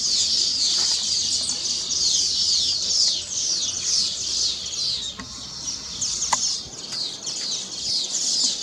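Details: Weaver birds celebrate finishing their nests by singing on them: an energetic mass of high, sizzling twitters and down-slurred chips, with a few sharp clicks and taps scattered through.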